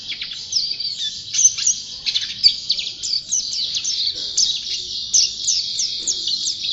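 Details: Champion white-eye (pleci) singing steadily: rapid, high-pitched twittering with sharp downslurred chips and thin whistles strung together without pause, clear over quiet background.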